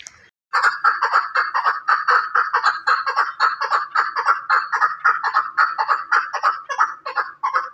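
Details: A continuous, rhythmic chuck-chuck series from a Chukar partridge linked to Pakistan, loud and evenly paced at roughly two notes per second, with a brief quiet moment at the start.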